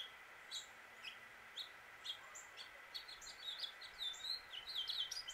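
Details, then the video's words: Male house finch singing in Suffolk, Virginia, USA: isolated chirps build into a fast, rambling warble of slurred high notes that grows louder toward the end, over a low continuous hum. "House Finch Song and Call"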